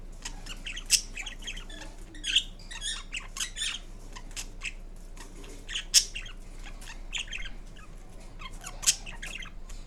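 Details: Green Indian ringneck parrot kept as a pet, making different sounds: scratchy chattering with sharp shrill squeaks scattered over ten seconds, some louder piercing peaks, indoor room quiet.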